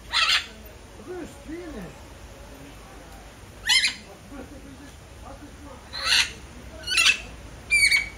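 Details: Red-fronted macaw calling with a series of harsh, grating squawks spaced irregularly, three coming close together near the end, over faint lower whistled notes and quiet background murmur.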